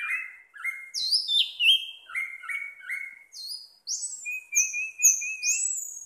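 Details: Pet orange-headed thrush in continuous 'teler' song: quick varied phrases alternating low warbled notes with sharp, high downslurred whistles, ending in a wavering trilled series and high rising notes.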